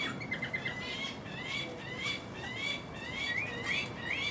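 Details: Guinea turaco of the nominate subspecies, a male feeding its chick of about three weeks, filmed 11 August 2019 on a Panasonic HDC-SD60 camcorder; thin squeaky upslurred whistles come in a quick, uneven run of about two per second.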